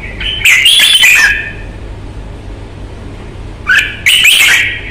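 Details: Fighting-type red-whiskered bulbul kept in Vietnam delivers two loud, bright phrases of rapid whistled notes mixed with harsh bursts, about three seconds apart.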